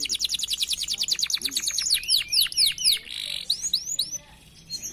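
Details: Several canaries at a bird farm, kept for use as a lure for other birds, singing hard: fast trills of repeated notes, then downward-sweeping whistled slurs and a short buzzy burst.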